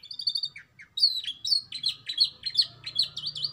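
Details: Canary singing a song style mixing black-throat and prinia phrases: high, rapid twittering trills and sweet whistled notes, brief buzzy downslurs, then a run of looping, warbled chirps repeated in quick succession; a faint low hum underneath.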